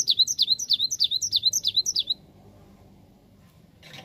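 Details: Lure song of a cinereous tit that birds reply to at once: about nine high, falling two-note phrases in quick, even succession for two seconds, then quiet hum and a faint rustle.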